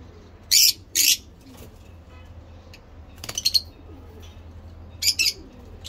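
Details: Two loud, raspy shrieks from lovebirds kept for breeding, followed by a quieter stutter of short notes and a final doubled chirp.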